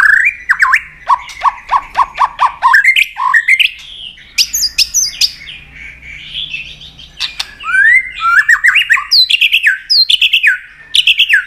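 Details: White-rumped shama in long-voiced fighting song with tail-flicking to provoke a rival: rapid series of repeated downslurred whistles, sharp clicks, and varied rising and falling phrases poured out continuously.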